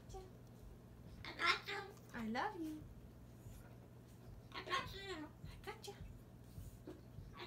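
A Moluccan cockatoo babbles in two short bursts of speech-like chatter with swooping, rising-and-falling tones, over a steady low electrical hum.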